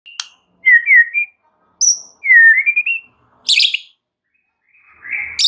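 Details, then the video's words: White-rumped shama song used as a lure to provoke other shamas: clear whistled phrases that rise and fall, a sharp high click at the start, a harsh buzzy burst midway, and a final rising whistle, separated by short silences. "SEKALI PANCINGAN Murai Batu anda langsung NAIK EMOSI mendengarnya"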